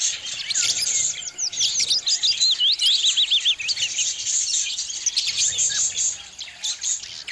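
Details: Budgies playing next to their nests: rapid, twisting warbled chirps and rising-falling whistles tumble over one another in a lively, continuous chatter, with a brief quieter gap near the end.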